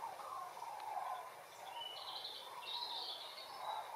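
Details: Distant common cranes migrating south over Essen-Steele, Eiberg and Horst, Germany, on 24 October 2021: rolling, wavering trumpeting calls from a passing flock, overlapping continuously, with higher thin chirps and a steady background hiss.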